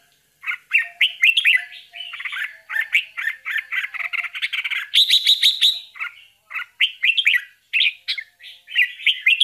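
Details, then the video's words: Chicks of a bulbul being fed by their mother; continuous chattering of short, squeaky chirps, briefly rising into a higher, more intense burst midway, then returning to uneven chirping. "How is Bulbul bird feeding to her Babies"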